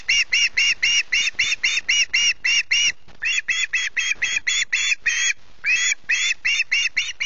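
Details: Osprey chick at Loch Garten screeching for food in the early morning, 14 August: a fast, relentless run of harsh, grating notes, about three each second, pausing briefly twice.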